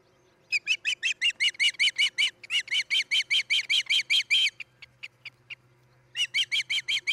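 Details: Osprey at a nest on a nest cam in Charlo, Montana, at night around 3:30 am on 10 July 2018, giving a rapid run of shrill, whistled chirps, about six a second, pausing briefly and starting again, over a low steady hum.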